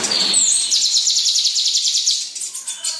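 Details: House sparrow, described as singing busily: a rapid run of short high chirps repeated about three times a second, with a thin whistled note near the start and faint background noise.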